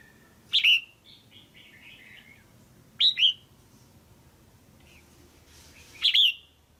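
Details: Caged female red-whiskered bulbul calling to stimulate a male or for pairing: three loud, sharp two-part chirps about three seconds apart, with soft warbled notes between.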